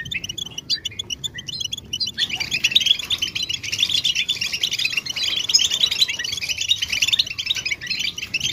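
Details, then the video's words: European goldfinch readiness and mating calls to make males sing: a couple of seconds of spaced, crisp high chirps, then a swelling, continuous chorus of dense bright twittering. "بتبتة الحسون نداءات فعالة في علاج صمت الحسون"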